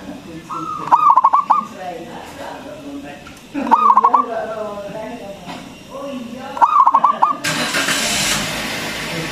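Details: Loud local zebra dove, sung to stimulate quiet doves into calling: three throbbing coo phrases roughly every three seconds, faint chatter between them, and a burst of broad hissing noise at the end.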